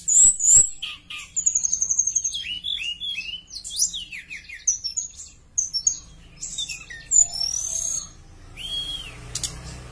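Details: Javan bush lark in vigorous song, a lure to draw other larks into singing: varied high chirps, twitters and slurred notes in quick succession, ending in a clear rising-falling whistle.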